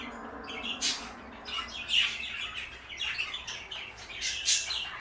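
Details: Blue and light yellow pet parakeets chatter in quick, irregular bursts of high chirps and scratchy twitters that keep coming for several seconds.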